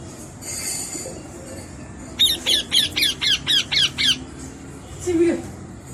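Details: Parrot calling: a burst of eight harsh, rapid squawks over about two seconds, then a single lower squawk, with quiet background hiss.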